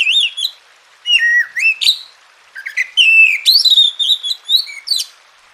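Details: Oriental magpie-robin singing, a recording meant to tutor lazy, silent birds into full song: a continuous run of varied whistled phrases, falling slurs and rising sweeps with quick sharp notes, over near-silent background.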